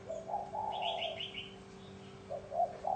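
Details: Spotted dove of the bronze-bell voice type, crooning to attract wild doves and excite males and females; a short, low, rolling coo phrase with quick higher chirps from another bird above it and a faint hum.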